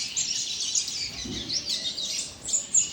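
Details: Young double-collared seedeater singing a fast, high twittering run of notes. The notes sweep up and down without pause for three seconds over a light background hiss.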